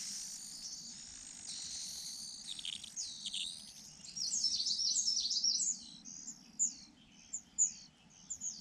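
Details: Rufous-bellied niltava at a nest with young in Yunnan, male bird attending the nest, giving very high, thin calls: a busy, jumbled run of notes, then sharp single notes about a second apart, over a faint low hum.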